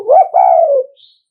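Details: Spotted dove from Nghệ An, a decoy bird giving the 'thúc gù' coo used to provoke rival males into calling: a short mellow note, then a longer, steady, slightly falling hoot, the whole phrase lasting under a second in a quiet setting.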